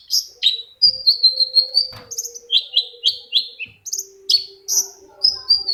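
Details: Long-tailed shrike singing to provoke a reluctant shrike into song: a rapid, varied run of bright, chirping and scratchy notes, some slurred downward, others short and sharp, delivered almost without pause.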